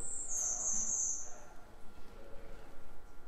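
A Golden-winged Warbler gives a thin, high, insect-like buzz: a brief higher note slides into a longer, slightly lower buzz lasting about a second, over a quiet low rumble.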